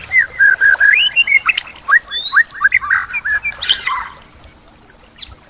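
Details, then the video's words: Full isian song of a white-rumped shama, with imitated phrases: a fast run of short, slurred chirping notes about four per second, plus a rising whistle, fading to quiet at the end. "Full Isian Murai Batu"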